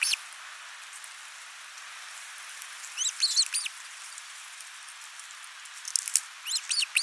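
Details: Ospreys at a nest cam in Finland on 29 June 2024, the father bringing a big live fish while the mother feeds their single chick; two short bursts of high, arched, whistled notes over steady background hiss with soft patter.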